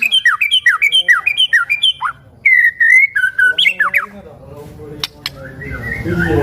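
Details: White-rumped shama singing to draw other shamas into song, repeating a rhythmic whistled phrase of falling notes several times before the song dissolves into rustling and background noise.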